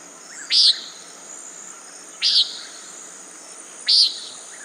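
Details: Common nighthawk repeating a single nasal, buzzy note three times, roughly every 1.7 seconds, against steady insect trilling.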